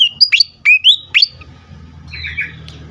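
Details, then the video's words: Agitated fantail used to lure and stimulate other birds: a quick run of bright, sharp whistled notes, some rising and some falling, then a softer buzzy, wavering phrase with a low hum beneath. "sikatan kipas ngamuk sekali dengar cocok untuk pikat dan rangsangan bunyi burung bahan"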